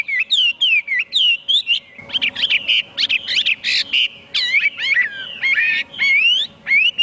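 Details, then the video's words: Complex Chinese hwamei song blending clear swooping whistles with harsher, chattering and squeaky notes in a dense stretch, then returning to clean rising whistled phrases. "Chim hoa mi hot cuc dinh"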